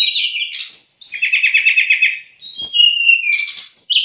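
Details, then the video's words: Brown-chested jungle flycatcher song used to tutor and stimulate untrained or stressed caged birds: a whistled phrase, a short pause, then a fast buzzy trill of repeated notes, followed by sweet descending whistles and sharp high chips. "MASTERAN DAN PANCINGAN SRDC PALING DI CARI TERBUKTI AMPUH.....untuk srdc bahan maupun srdc stres"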